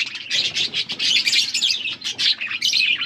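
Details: Blue budgies feeding each other, with loud, rapid chirps and scratchy twittering packed closely together, barely pausing.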